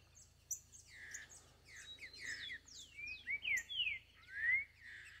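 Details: A free Green-winged Saltator in the forest sings rich, slurred whistled phrases, rising and falling, mixed with high thin chirps from other small birds.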